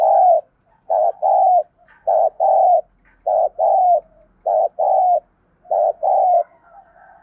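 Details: Repeated paired coos from a thúc bổi decoy spotted dove, used to make wild birds coo: each pair is a short note then a longer, falling hoarse note, steadily repeated about once a second, with quiet soft notes between.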